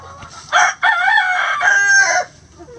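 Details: Backyard rooster crowing as the chickens forage among pine needles and leaves for bugs, worms and pecans; a loud, hoarse cock-a-doodle-doo in three strained, drawn-out syllables, the last held longest, over faint clucking.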